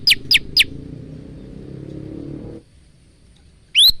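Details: Male bar-winged prinia in full song giving three quick, sharp, high descending notes, then a single bright note after a pause, over a low steady hum.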